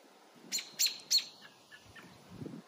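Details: Mother American robin, very protective of her babies, gives three sharp, loud, high chirps in quick succession about a third of a second apart, followed by fainter, softer notes and a low background rumble.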